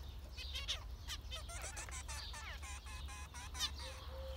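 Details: Group of zebra finches trading rapid nasal beeps and short rattling series of clipped harmonic notes, busy and overlapping, with a faint thin tone and low background hum.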